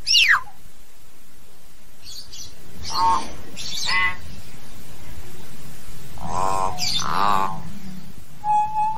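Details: Common hill myna calling to gather its flock: a quick falling whistle followed by several harsh, raspy, croaking notes and a short flat whistle at the end, over low steady noise.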